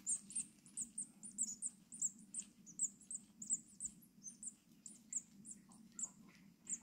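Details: Rescued six-day-old tit chicks in care at Brilon, Sauerland, on 25 May 2024, calling to be fed. Separate high, sharp cheeps repeat several times a second over a continuous low electrical hum.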